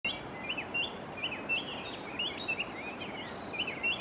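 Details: Chestnut-bellied thrush (Turdus fulviventris) calling at Minchoy, San Francisco, Putumayo, Colombia: quick, high chirping notes, roughly a dozen in four seconds, some sliding up or down, over a steady background hiss.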